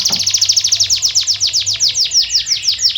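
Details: Canary song played as a lure to get silent canaries singing: a fast tour of high, downward-sweeping notes repeated about seven times a second, steady and clear throughout, with a faint low hum beneath.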